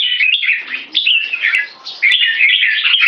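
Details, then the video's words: Short burst of red-whiskered bulbul song in one stroke style leading to keke, loud twittering warbles with a dip in volume midway before a strong final run of slurred notes. "One stroke singing lead to keke"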